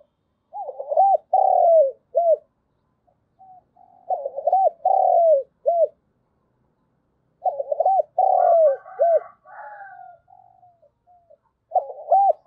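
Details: Caged decoy spotted dove giving its morning lure call to draw in wild doves, in the thổ voice style. Low, hollow coo phrases repeat in bursts about every three to four seconds, with a faint crowing-like sound behind one phrase.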